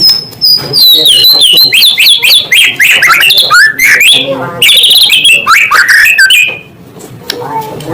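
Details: Rich, continuous white-rumped shama song meant to stir up rival shamas: dense high whistles and quick descending notes, rising phrases and a trilled passage, fading to quiet near the end.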